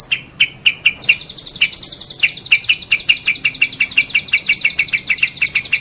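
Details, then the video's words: Long-tailed shrike song used as a master recording for tutoring other songbirds: rapid, sharp chirps repeated about five times a second, overlaid by a high, buzzy, continuous trill. "Masteran cendet"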